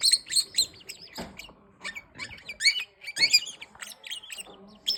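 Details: Green-winged king parrot making sharp, scratchy chattering notes and squeaky squawks in quick bursts, with a soft thump in the background.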